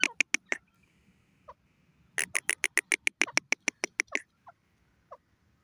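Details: Grey francolin (teetar) calling: loud, harsh, clipped notes fired off rapidly in two bursts of about three to four notes per second, separated by a pause, with a few soft, isolated notes in between.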